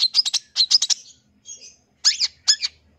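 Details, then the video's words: Long-tailed shrike song used as therapy to get silent birds singing; bursts of sharp, chattering high notes in quick clusters, separated by short pauses, with a thin whistled phrase between. "terapi suara CENDET Full Isian"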